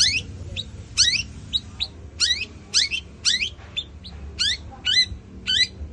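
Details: Bird song used as a training lure: bursts of sharp, fast descending chirps repeated about once a second, high-pitched and scratchy, over low background hum.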